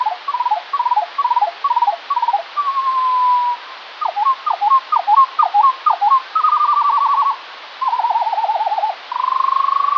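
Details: Eurasian skylark recorded one morning, perhaps more than one bird, slowed in playback: repeated short chirping figures, swooping whistled notes, rattling trills and a rising sustained whistle, delivered almost without pause.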